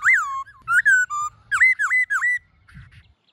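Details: A black-throated laughingthrush gives a loud, rich, wild-type whistled song of rapid slurred notes, rising and falling sharply, with several quick phrases near two kilohertz, then quieter fading notes, played to stimulate captive laughingthrushes.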